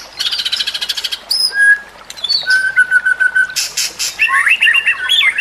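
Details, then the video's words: White-rumped shama song for training other birds: a buzzy rattling burst, a long level whistle, harsh noisy notes, then a rapid twittering phrase. "Kicauan Murai Batu yang Menggoda Telinga"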